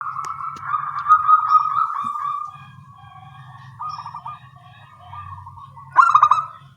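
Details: Local zebra doves with small voices calling back and forth in the morning: mellow mid-pitched coos with quick stuttering notes and drawn-out, wavering tones, and a louder burst of stuttered coos near the end.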